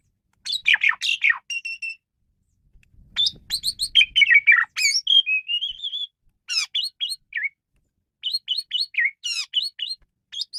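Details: Varied singing of a male Asian pied starling, played to lure and train birds: rapid sequences of chattering notes, level whistles and rising squeaks, nearly continuous with short breaks.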